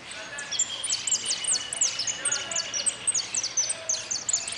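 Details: Goldfinch singing at a contest, the closing of an interclub cup on 04-03-18: a fast run of high, sharp, descending whistled notes repeated several times a second, steady throughout, over faint background noise.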